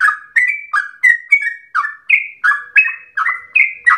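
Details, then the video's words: Sooty-headed bulbul (trucukan) pouring out a long ropel said to sound like a straw-headed bulbul; strong, clear slurred whistles repeat at a quick, steady pace, with mixed higher and lower notes. "Trucukan gacor ropel panjang narung suara berasa cucak Rowo"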